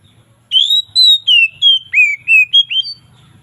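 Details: Oriental magpie-robin singing a relaxed, loud 'ngeplong' variation in the afternoon; eight clear whistled phrases, several sliding downward, given roughly three per second against a quiet background.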